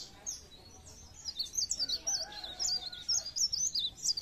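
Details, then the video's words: High, thin twittering of a pare pare bird, meant to stimulate others to sing: a continuous stream of quick wavering chirps grows louder and denser, with faint low murmuring beneath. "Pancingan bunyi ampuh burung pare pare"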